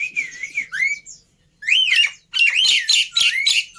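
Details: Loud, varied song of a Javan pied starling, with wavering whistles, a brief pause, then rich warbled phrases mixing slurred whistles with harsh, buzzy accents.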